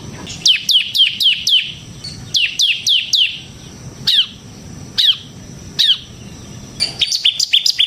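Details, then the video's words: Ciblek (bar-winged prinia) used as a training lure and master song; quick clusters of high downslurred chips, then spaced single falling notes about a second apart, ending in a rapid twittering run. "suara burung CIBLEK SEMI GACOR Ngebren Ampuh untuk Pancingan Ciblek Kristal dan Masteran Ciblek"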